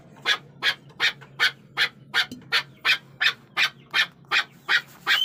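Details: Chukar partridge (chakor) with a regular series of rasping chuck notes, roughly three a second, bright and clipped, over a low steady background hum.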